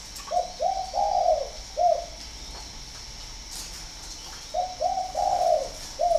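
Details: Spotted dove from a northern Vietnamese breeding farm in Ba Vì, Hanoi, valued as a good singer, cooing low and hollow: two short coos, a long drawn rolling coo, a pause, then a single coo, with the phrase beginning again.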